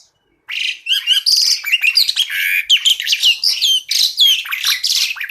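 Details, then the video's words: Asian pied starling singing tembakan-style masteran tutor song with full variation: a dense, unbroken run of scratchy chatter, quick whistles and squeaky notes after a brief silence at the start. "Masteran Jalak Suren Tembakan"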